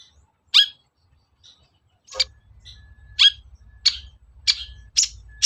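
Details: Long-tailed shrike calls used to provoke a shrike into singing. Harsh rasping notes come about every half to one second, and a steady low humming background enters midway.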